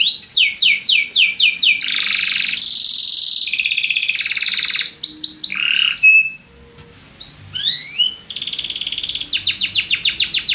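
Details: Belgian canary song used to encourage other birds: rapid repeated upswept notes, long loud buzzy rolls, a brief near-silent pause, then rising whistles and fast repeated notes again.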